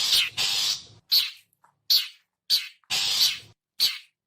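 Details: Typical call of the long-tailed shrike, used as a lure: seven harsh, noisy notes, with longer rasping churrs alternating with short sharp chacks, spaced roughly every half second.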